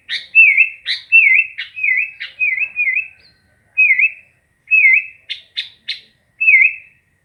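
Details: A run of sooty-headed bulbul song: rapid repeated dipping whistles broken by harsh chirps, then spaced single whistles and a cluster of sharp notes.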